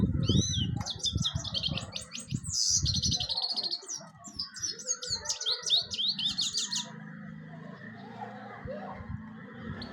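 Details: European goldfinch song: a fast run of liquid twitters and short buzzy trills for about seven seconds, then only a low background rumble.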